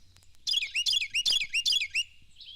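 Carolina wren song: about five loud, ringing phrases, each a quick downslurred note pair, repeated rapidly at a steady, rolling pace of roughly two and a half per second.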